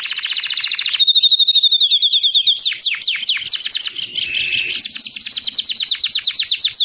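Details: White crested Belgian canary singing at length: a fast buzzy trill near one pitch, a held whistled tone, then long runs of rapid downward-sweeping notes repeated several per second.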